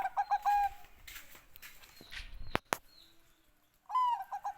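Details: Bangkok zebra dove giving a phrase of short, rhythmic cooing notes, then sharp clicks and knocks, before another falling whistled coo starts a new phrase.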